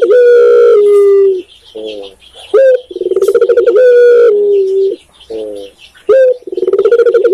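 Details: Spotted dove (tekukur) recorded in Indonesia, phrases opening with a long drawn coo, followed by short soft notes, a crisp upslurred coo, a vibrating roll and another sustained coo, repeated twice.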